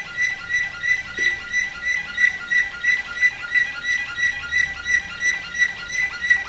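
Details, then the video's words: A canary, a flawta, recorded in 2008, sings a steady run of bright, high trilled phrases, pulsing about three times a second with ringing whistled overtones. "Canari flawta"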